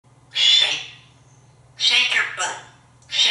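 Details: Talkative pet African grey parrot hatched in 1997, kept at home in Texas, singing indoors: three loud, harsh, screechy bursts with whistled edges, about 1.5 seconds apart, over a faint low hum.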